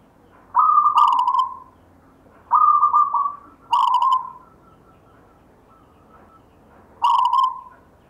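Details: Local zebra dove song with rhythm: four whistled cooing phrases, some starting higher and stepping down, spaced irregularly across eight seconds, quiet background.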